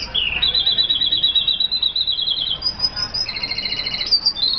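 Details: Song of an F1 red siskin, tropical bird from Colombia: a continuous run of high, rapid twitters and buzzy trills, alternating pitch levels without pause.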